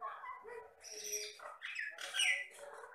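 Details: Batam myna, a mimicking myna of the Riau Islands lowlands, giving a jumble of squeaky and buzzy notes that ends in a loud, harsh, high descending screech.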